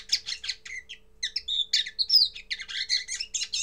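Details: First song of a common linnet: bursts of twittering notes mixed with clear whistled slides, a short pause near one second, then a continuous chattering run.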